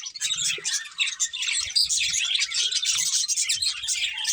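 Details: Several colourful budgerigars chirping while eating: dense, continuous high chatter of buzzy, warbling chirps and twitters with overlapping voices and brief low thumps, likely from feeding.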